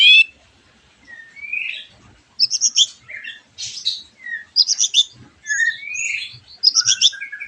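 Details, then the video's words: White-rumped shama song played to draw other shamas into song: high rising whistles alternating with buzzy chip clusters, separated by short pauses. "MURAI BATU GACORAN PANCINGAN MURAI BATU OMBYOKAN ABRAGAN AGAR IKUT NYAUT GACOR"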